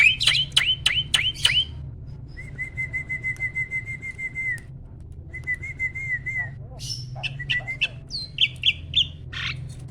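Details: Adult male Asian pied starling in breeding condition, a captive bird pumping as it sings: a burst of sharp clicks, then long level whistles held for about two seconds each, followed by scattered chirps and squeaks.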